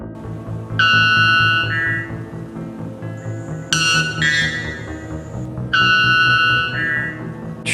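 White bellbird giving loud, ringing, metallic notes about a second long, repeated three times, over steady background music.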